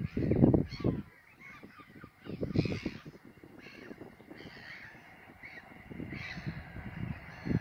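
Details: Caspian gull at VAM Wijster on 21 March 2021 gives harsh, hoarse calls in short bursts every couple of seconds over a steady low rumble of wind and background noise.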